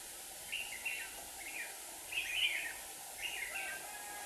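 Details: Decoy red-whiskered bulbul in a Hòa Bình trap, singing to lure rival wild birds; four clear phrases of bubbling, whistled notes, the middle one loudest, against a quiet background.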